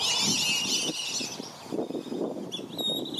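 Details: Black-bellied whistling duck parents at Circle B Bar Reserve, Florida, defending juveniles from other ducks; a burst of thin, high whistles fades after a second, then scattered calls return near the end over low muffled splashing.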